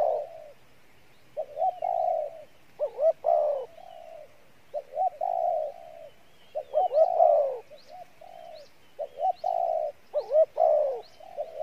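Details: Decoy spotted dove performing Pha Bài Lối cooing. Repeated low phrases mix short paired notes, strong quavering coos and level drawn-out hoots, with faint high chirps from other birds in the background.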